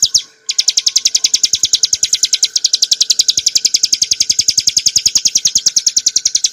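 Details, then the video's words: Hill prinia song for training cage birds, in the clear, rapid style called ngebren nembak: a long, very even train of sharp, high chip notes repeated about three to four times a second, with a brief break near the start. "kicauan burung ciblek gurun untuk masteran & pancingan - suara jernih ngebren nembak"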